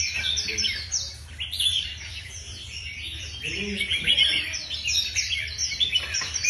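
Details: Several caged Red-whiskered bulbuls in a singing contest sing together in lively, overlapping bursts of bright chirping and warbled phrases, with a low background hum throughout.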